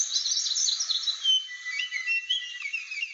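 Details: Aceh blue flycatcher, described as rare and protected, sings a dense, rapid warble of high twittering notes. It eases into clearer whistled slurs that rise and fall, over a soft background hiss.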